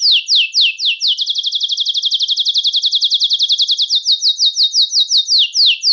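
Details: Belgian canary singing to stimulate males and females for breeding: loud downslurred whistles, then a quick even rolling trill, ending again with spaced falling whistled notes.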